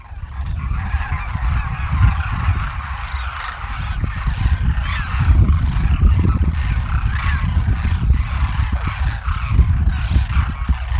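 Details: A huge wintering flock of about 12,000 Demoiselle Cranes in Rajasthan, India, feeding in fields near villages; many overlapping rolling, croaking calls fill the air over a steady deep rumble.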